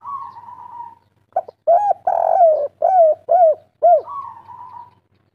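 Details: Local spotted dove in kuk 3 style: a soft wavering lead-in note, then a quick series of rounded coos with one long drooping note, closing with another drawn wavering coo.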